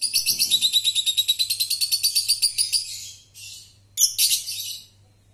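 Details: Lovebird ngekek, the long trill young birds are trained to copy: about three seconds of fast, evenly pulsed high rattling notes, then a short buzzy burst and two harsh chirps, faint low hum beneath.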